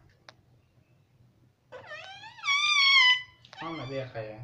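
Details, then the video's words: Pet parrot repeating "mummy" indoors: one long, voice-like harmonic phrase that climbs and holds for about a second and a half, then a lower, rougher syllable over a steady background hum. "Talking parrot"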